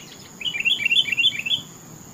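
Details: Sooty-headed bulbul with a brief, bubbly warbled phrase whose notes rise and fall, repeated in quick succession for just over a second. Only faint hiss is heard otherwise.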